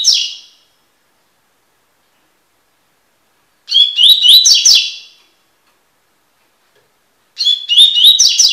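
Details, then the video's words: Tui-tui song of a double-collared seedeater recorded for song tutoring: three rapid, high-pitched phrases of chirped and whistled notes with rising slurs, separated by several seconds of quiet. "coleiro tui tui cantando"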